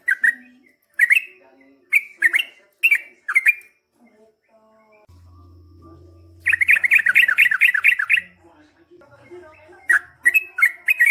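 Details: Yellow-vented bulbul (trucukan) singing in the chatty 'gacor ropel panjang' long-rolling style: spaced liquid warbled notes, then a fast rolling run of about a dozen repeated bubbly notes, with a brief low hum beneath.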